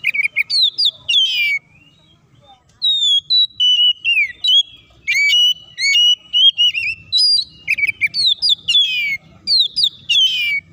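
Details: Oriental magpie-robin (kacer) song played to provoke rival birds into singing and fighting: long run of varied whistled phrases, sweeping and steady notes, with a short pause near the start.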